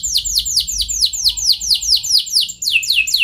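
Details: Canary lure song intended to make other canaries join in with long rolls: a rolling series of sharp, high, descending whistles, roughly four per second, bright and continuous.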